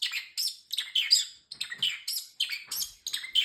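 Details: Male pet parrotlet chatters in tiny, squeaky, raspy syllables, about ten quick word-like bursts in short phrases, imitating human speech such as "peekaboo", "danger, danger" and "excuse me" in a high, thin voice.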